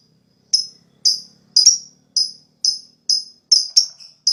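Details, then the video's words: Lovebird therapy sound for stimulating rival birds to ngekek quickly: crisp, high, clicking chirps repeated about twice a second, speeding into closer pairs near the end, against a silent background. "Suara LoveBird Terapi,Rangsang Lawan Cepat Ngekek,LoveBird Ngekek Gacor"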